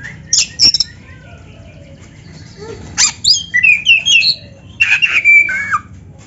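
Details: Black-breasted magpie-robin (kacer) singing canary-like fills to stir other birds: short high chips, a pause, then varied sliding whistles and rasping notes ending in a downward slur.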